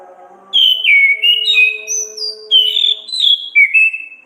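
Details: Orange-headed thrush singing in lively gacor, ngeplong and ngriwik style, used as a tutor and lure recording for songbirds: loud clear whistled phrases stepping between mid and high pitch, several slurred notes in quick sequence, with a faint low hum behind.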